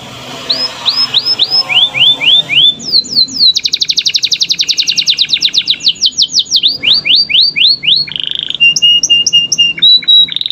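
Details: Canary in lively song for training young canaries to sing readily, with long rolling trills. Series of rising whistled sweeps, then a fast, steady trill of repeated notes, and finally buzzy bursts and short high chips.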